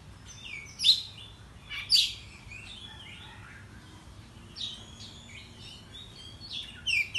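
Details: Agitated Oriental magpie-robin in the morning, used as a lure to excite other birds: isolated loud, harsh chirps about once a second, then softer buzzy phrases and a closing burst of sharp whistled notes.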